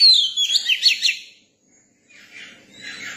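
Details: A young Oriental magpie-robin gives a brief burst of bright, quickly warbled whistles lasting about a second, followed by silence and faint hissy background sound.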